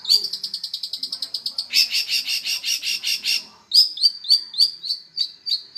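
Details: Energetic long-tailed shrike song beginning with a fast ticking trill, then harsh buzzy notes, then a string of bright, slurred whistles.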